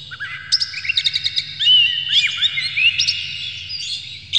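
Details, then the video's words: Oriental magpie-robin showing off with tail opened and fluttering, delivering a rapid string of sharp staccato chips that flows into smooth rising and falling whistled phrases, with a low droning hum beneath; used to goad other magpie-robins into song. "dijamin kacer langsung ngamuk2 dengar kacer ini bongkar emosi buka ekor ngobra full isian"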